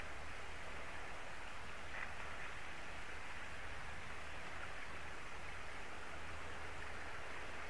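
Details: Even, rushing noise like rain or distant traffic fills the recording, over a low steady hum, with no animal calls.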